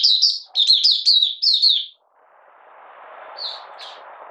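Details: Malaysian Oriental white-eye, 31 July 2023, in minor moult and out of form, opening song: a quick two-second run of repeated high chirping notes, then near silence with two faint notes over soft background hiss.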